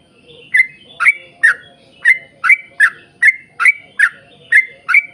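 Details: Yellow-vented bulbul in long rapid-fire 'ropel panjang' singing, played as a lure to make other bulbuls sing: short bubbly, slurred notes repeated about twice a second in a steady chain, over faint background murmur.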